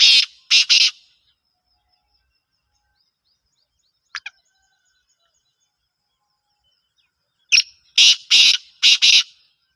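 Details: Caged black francolin (kala teetar) of the Gangas strain gives a harsh, grating phrase of three loud buzzy notes, repeats it after a long silence as a clipped tick and five rasping notes, with a faint tick between phrases.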